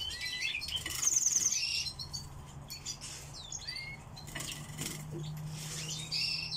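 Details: Pet song thrush in captivity giving a rapid series of identical high, thin notes, then scattered whistled slurs and pauses, over a low steady hum and occasional rustling or clicking sounds.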